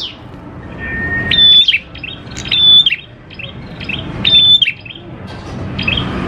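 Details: Prinia lure song: three clear phrases, each a high whistle ending in a short falling chirp, preceded by a long steady lower whistle, with faint chirps and soft background noise.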